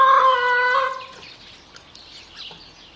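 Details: A single hen's drawn-out, nasal, harmonic call lasting about one second, then near quiet with faint scattered clucks in the background.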